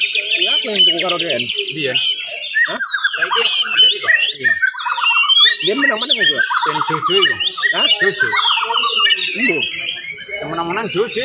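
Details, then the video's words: Dense, fast morning song from an oriental magpie-robin, intended to excite other magpie-robins. Varied whistles, buzzy rattles and descending trilled runs tumble on nonstop, with brief low notes between phrases. "SUARA KACER GACOR DIPAGI HARI SPEED RAPAT cocok untuk naikin emosi kacer yang dengar"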